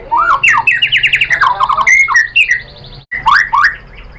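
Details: White-rumped shama lure song intended to provoke singing: a rich, dense medley of rising and falling whistles, quick slurred runs and chattering notes, broken by a short silence and then more rising slurred phrases.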